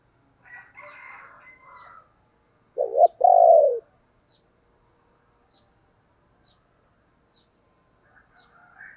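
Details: Spotted dove kept as a decoy bird, calling to lure others: two low cooing notes in quick succession, the second longer and drawn out, with faint higher chirping from other birds before and after.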